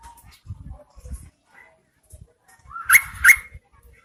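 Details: Rainy-season call of a female Yellow-vented Bulbul meant to draw males: a rising slur into two loud grating chirps near the end, amid low knocking and rustling.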